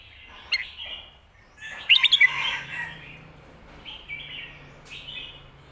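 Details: Red-whiskered bulbul song used to teach birds at home, 'phat kuaitiao' and 'khayao khuat' styles: scattered short chirps around a quick jumble of bright whistled notes over a soft hiss.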